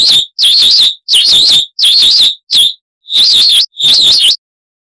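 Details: Chalk-browed mockingbird in a harsh-voiced tutor recording for cage birds, giving short high buzzy, warbled bursts separated by brief silences, about six bursts in under five seconds.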